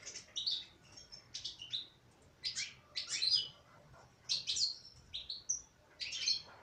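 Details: Female European goldfinch in song: repeated quick clusters of high, tinkling chirps and twitters, about one burst per second, over faint background hiss.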